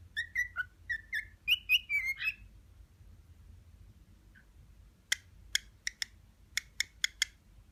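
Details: Pet male cockatiel, aged six months, courting an indifferent female: a quick series of bright whistled chirps, a pause with one faint note, then a string of sharp, dry clicks.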